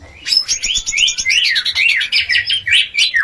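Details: White-rumped shama mating song to boost breeding urge: continuous fast, bright warble of repeated rising and falling whistled notes with a buzzy edge.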